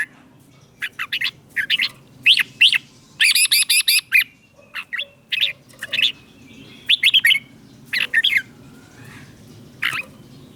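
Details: Caged red-whiskered bulbuls from Thailand, used to stimulate other birds and teach young ones. Scattered short chirped phrases of liquid warbles, then a harsh buzzy stuttering run, more sharp chirps, and a faint low hum underneath.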